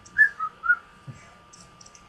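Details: Gray male cockatiel, about 16 years old, whistling at home: three clear, pure whistled notes in under a second, the first highest and the next two slightly lower, then near quiet with faint soft clicks.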